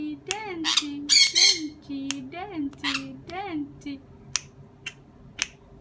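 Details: Sun conure making several grating, broadband squawks, the loudest a double burst early on, mixed with ongoing Dutch talk and sharp clicks toward the end.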